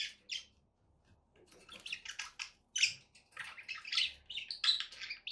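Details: Pet budgies warble softly at first, then chatter in a rapid string of squeaky, buzzy notes and harsh chirps, growing louder over several seconds.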